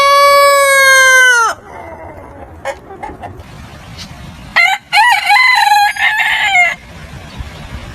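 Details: Roosters crowing in the morning: the tail of one long harmonic crow, then a quieter second crow with wavering notes over background hiss.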